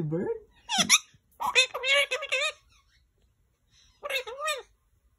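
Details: Male green Indian ringneck talking in a room: a low voice at the very start, then dense, high, nasal mimicked phrases, a pause, and one last short word-like burst.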